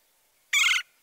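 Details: Red-bellied Woodpecker giving a nasal trill that sounds like a low-pitched churr: one short, burry, rolling note of about a third of a second, with a quiet background.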